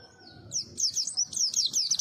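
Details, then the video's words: Small white-eye, locally called pleci, pours out rapid high-pitched warbling: quick downslurred twittering notes strung close together, after a thin faint whistle at the start. "Kicau merdu si burung PLECI - si kecil suara cabe rawit"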